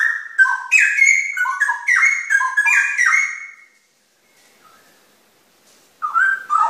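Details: Cucak rowo, the straw-headed bulbul, delivering a long run of loud, mellow whistles that tumble up and down, each note bending sharply, then silence before a new phrase begins.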